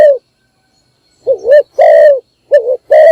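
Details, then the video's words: Spotted dove decoy bird giving its morning call, used to lure other doves: low, mellow coos with a wavering two-part note followed by a longer steady coo, separated by short silences. "นกพิราบดัง birds - เสียงนกร้องตอนเช้าเพื่อเรียกนกของคุณ"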